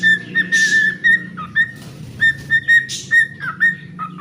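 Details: Rhythmic whistled song of a pet cockatiel, short level tones strung in quick series with occasional lower notes and a faint low hum behind.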